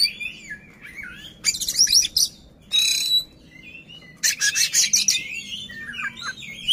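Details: Oriental magpie-robin in full play, tail fanned, meant to anger an opponent: scratchy rasping bursts alternate with twisting whistled phrases, with a long harsh rattling passage near the end.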